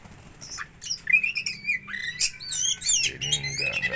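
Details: Oriental magpie-robin from Aceh, Indonesia, kept as a hobby bird, singing a rich varied phrase of clear whistles, sweeping slurred notes and harsh squawky bursts, with a buzzy stuttered rattle near the end.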